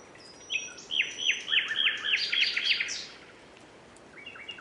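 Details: Common nightingale singing a fast series of about eight looped, whistled notes, repeated several times per second, preceded by a thin high whistle and followed by quiet hiss and a brief trailing phrase.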